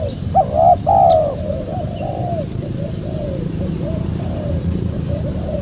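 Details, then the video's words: Spotted dove calling on a lure recording for wild doves: one loud phrase near the start with a clipped note and a falling coo, then a run of softer, muffled coos over low background rumble. "PEMANGGIL BURUNG TEKUKUR SUPER JERNIH"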